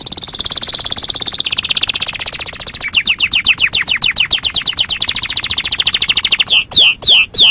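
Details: Master song of a canary for tutoring other birds, with a series of rapid high trills that change tempo and pitch from tour to tour, including a rolling passage of rising notes, ending with a few loud sweeping whistles.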